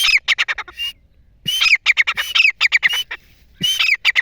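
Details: Grey francolin hunting call: dense runs of loud, harsh, ringing notes repeated quickly in several phrases, some with a clear whistled tone, with brief gaps between phrases.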